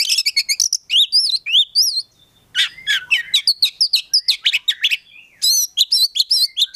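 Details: Caged Oriental magpie-robin (kacer) singing in 'gacor full isian' style: dense runs of rapid chirps, upslurred and looping whistles, and scratchy notes almost without a break, loud and close.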